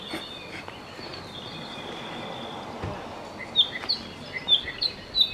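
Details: A large Apapane resting in Hawaii Volcanoes National Park gives a quick run of short, bright chips and squeaky notes, about six in under two seconds, over a steady high hiss.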